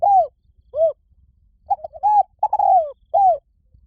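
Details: Spotted dove: two separate arched coos end one phrase. Then comes a fresh sequence of soft short notes, a rising coo, a long falling slurred coo and a final rounded hoot.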